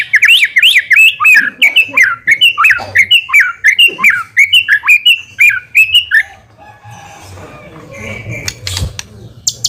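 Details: White-rumped shama in full song, used as a lure to draw a quick response: loud whistled phrases rising and falling between mid and high pitch, rapidly repeated for six seconds, then fading into faint rustling and clatter.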